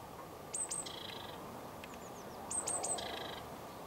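Eurasian blue tit giving two calls two seconds apart, each a few very high, thin tsee notes dropping into a lower buzzy churr, over a soft low rumble.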